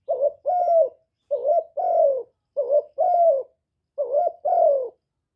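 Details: Spotted dove calling and cooing to stimulate other kept birds: four clear two-part phrases, a quick low note and a longer downward-bending coo, evenly spaced with nothing else heard.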